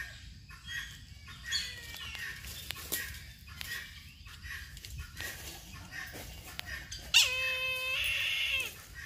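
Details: Brahminy kite giving a drawn-out, nasal mewing call of over a second, starting with a downward slide and holding a buzzy tone. Scattered chirps from small birds and light knocks are heard earlier.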